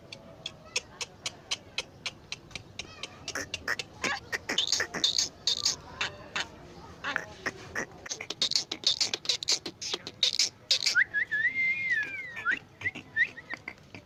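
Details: Crested myna imitating human speech: a steady run of sharp clicks, then dense harsh chatter. The sequence ends in clear whistled notes that rise and fall.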